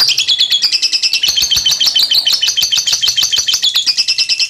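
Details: Lovebird giving a long chattering ngekek, used to train other lovebirds: dense rapid buzzy chatter of harsh notes at about three per second, steady and unbroken throughout, no other sounds.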